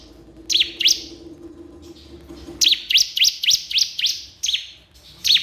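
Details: Crystal prinia calling a rival: a pair of sharp chirps, a pause, then a rapid string of seven bright sweeping notes, over a steady low hum.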